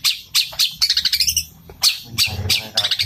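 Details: Sparrow-style fighting song from a Long-tailed shrike: sharp high chips, then a quick rattling roll of short notes, then more strong chirps and trills over a faint low hum.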